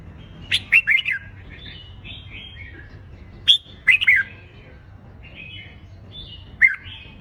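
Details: Red-whiskered bulbul contest song meant to rouse birds for competition; clusters of sharp warbled notes roughly every three seconds, joined by softer drawn-out whistles in the gaps.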